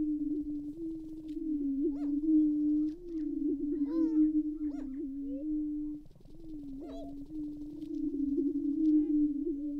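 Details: Greater prairie-chickens booming at dawn from a blind-watched lek, Tympanuchus WMA, Minnesota, April 2019; a deep, wavering hooting hum fills the whole stretch, with occasional brief squeals and cackles on top.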